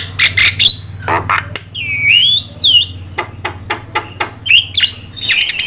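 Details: Starling tutor song for kept birds: sharp clicks and harsh bursts around a long, wavering whistled phrase that rises and falls, over a steady low hum.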